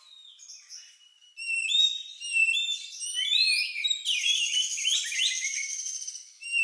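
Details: Strange-sounding song of an Oriental magpie-robin, likened to a lovebird and used to draw other birds into song. Soft whistles start it off, then a loud stream of sliding whistles and mixed chirps runs on continuously.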